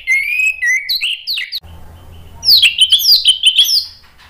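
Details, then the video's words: Orange-headed thrush in vigorous ngeplong song: a chain of whistled, slurred notes, a short pause with a low hum beneath, then a burst of rapid, high, descending whistles repeated several times a second. "PANCINGAN ANIS MERAH NGEPLONG GACOR memancing BUNYI jadi NYAUT"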